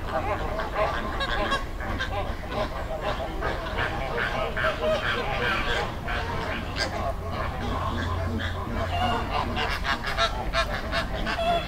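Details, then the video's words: Flamingos calling as a flock in a river, Dominican Republic; loud, goose-like honking repeated in quick irregular bursts from many birds, busier toward the end, with low steady background noise. "Sound Effect Of Flamingo Flock"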